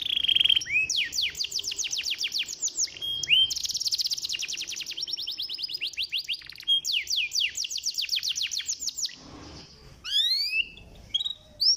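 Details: Canary singing as a lure for lazy canaries: a clear steady whistle leading into fast rattling trills of sharp descending notes in long phrases, a short quiet gap, then rising upward-slurred chirps.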